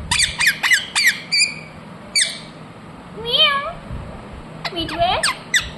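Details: Ringneck parrot letting out a quick string of harsh squawks, a quiet gap, then a rising, wavering whistle and a final cluster of squeaky calls.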